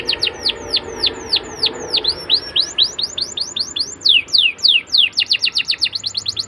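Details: Canary song played so young canaries answer: continuous series of crisp downward-curving whistled notes, speeding into tighter clusters and louder strokes in the second half.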